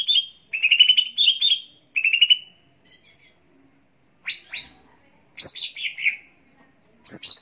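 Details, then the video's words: Green leafbird (cucak ijo) singing for bird training: several buzzy, rippling warbled phrases, then after a pause, sharper high notes that sweep downward, with quiet gaps between. "Pancingan Dan Masteran Cucak Ijo Pagi Siang Sore Dan Malam Agar Cepat Gacor"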